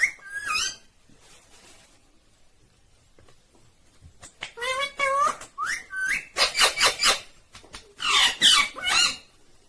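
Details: Talking Indian ringneck parrot giving a mix of rising whistled notes, wavering speech-like syllables and loud raspy bursts, with a quiet stretch early on before a dense series of calls.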